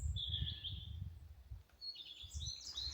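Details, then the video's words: Common redstart singing short, high, sweet phrases ending in a thin jangle, right overhead and seen, under steady low wind rumble; Wiltshire, 9 May, during a Global Big Day survey at Franchises Lodge, with spotted flycatcher nearby. "Just up here, we've got redstart. You can hear it singing. I can see it, too."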